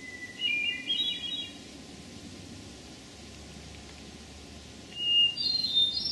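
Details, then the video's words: Hermit thrush singing in Memorial Forest, Sudbury, Massachusetts, on 11 June 2012: two fluty phrases, each opening on a held note and spiralling upward, the second pitched noticeably higher, over a soft low rumble. "Hermit Thrush Song"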